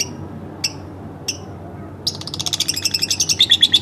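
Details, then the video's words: Home-kept lovebird: two isolated high chirps, then a quickening string of sharp, high, rhythmic chirps that grows louder toward the end. "masteran bukan tapi burung lovebird rumahan"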